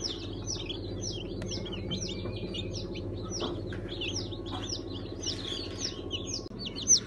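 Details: Newly hatched chicks from a 1 September 2019 hatch, a mixed batch of Sultan, Brahma, İspenç and Ameraucana breeds, give a steady chorus of high, short, downslurred peeps that overlap continuously, over a low background hum.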